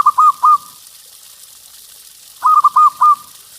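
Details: Singing local zebra dove with a loud voice, used to prompt other doves to sing: the tail of one cooing phrase, a pause, then a full phrase of four rolling, gurgling coos repeated at the same pitch.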